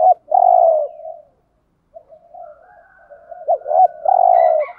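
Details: A decoy spotted dove coos to lure others: a drawn-out husky coo fading into a soft tail, a pause, then quiet murmurs, a fast double note and another long coo, with a faint higher tone.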